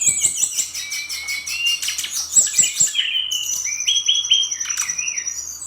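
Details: Bali brown-chested jungle flycatcher in rapid 'nratak' song: a quick train of clicking notes under high warbles, then several clear level whistles and short upslurs, one after another.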